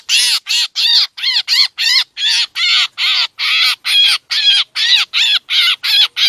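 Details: Black drongo calls played as a trapping lure, Lao and Thai Isan style, said to bring mynas too: a long, even series of coarse, buzzy chattering notes, about sixteen in six seconds.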